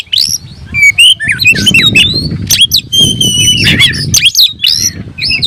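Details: Kept oriental magpie-robin singing vigorously as though seeking a rival: sharp whistles, clear sustained notes and scratchy squawks in rapid succession over a noticeable low background rumble.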